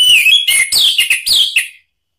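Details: Orange-headed thrush singing as a lure for other birds: a rapid, continuous run of loud, rich slurred whistles, several dipping downward, ending abruptly after under two seconds.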